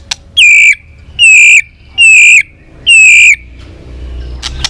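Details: White-rumped shama long training song meant to stir rival shamas: four loud, clear whistled notes, each a slightly falling tone held about half a second, evenly spaced, then quieter clicks at the end.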